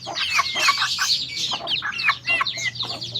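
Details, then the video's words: White-eye singing: a rapid, dense run of high, thin twittering chirps and short whistled slurs, with lower clucking notes woven through. "Burung pleci ajaib"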